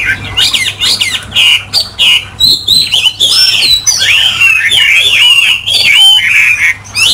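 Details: Captive Chinese hwamei delivers energetic song, strings of sharp chirps giving way to looping, rolling whistles and fast chattering phrases, loud and close.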